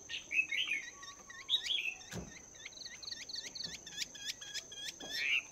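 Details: Caged Chinese hwamei, two months in the cage, training its voice in the morning: a run of quick hooked high notes repeated rapidly after a few slurred phrases, over a steady high whine.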